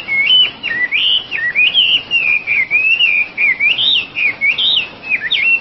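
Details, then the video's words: Wambi, the Oriental magpie-robin, sings a continuous, warbling whistled strophe that wavers up and down in quick connected notes, with brief gaps every half second or so. "kompilasi suara wambi gacor komplit"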